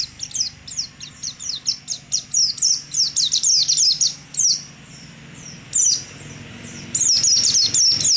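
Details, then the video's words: Caged competition white-eye singing a ngalas jarawa style song: rapid, high, sharp chirps strung together four per second, a brief pause, then dense twittering phrases, very high-pitched and bright throughout. "Suara burung pleci ngalas jarawa"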